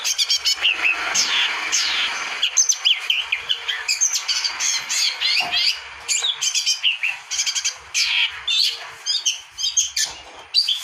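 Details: Long-tailed shrike (pentet) singing a long, varied stream of chattering, scratchy notes mixed with short whistled slurs, dense and continuous, played to set other birds singing.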